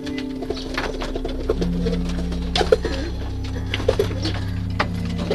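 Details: Pigeons inside a loft give low, muffled cooing under a steady mechanical hum, with scattered clicks and taps from feeding and movement.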